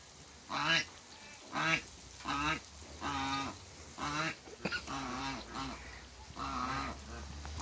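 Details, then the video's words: Two African geese meeting for the first time on a farm, trading a quick series of around nine nasal, trumpeting honks, some overlapping, with a faint low hum underneath. "TRYING MEETING AFRICAN GEESE COUPLE"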